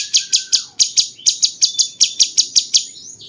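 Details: Caged cucak cungkok bulbul, a song described as sounding like a cucak jenggot and used as a tutor for competition songbirds: a fast series of sharp, high chips, about thirteen in three seconds, fading at the end.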